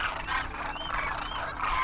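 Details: A wintering flock of Demoiselle Cranes in Rajasthan, India, calling in flight; brief overlapping trumpeting notes with a few clear rising whistled tones over a dense chorus.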